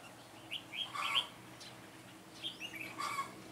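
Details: A decoy Red-whiskered bulbul of the Mũ lân strain from Ché sings on 9 June 2017 to draw wild birds into a trap. Two quiet warbled phrases of slurred whistles are separated by a pause.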